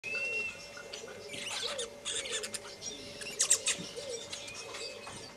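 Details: Lesser masked weaver (Ploceus intermedius intermedius) at Lake Baringo, Kenya, in January 2006, giving dry, buzzy chattering and sizzling bursts in quick irregular runs, high-pitched and harsh, over a faint low steady cooing tone.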